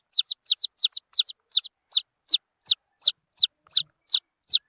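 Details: Quick doubled peeps from young junglefowl at first, then single loud descending peeps at a steady rhythm.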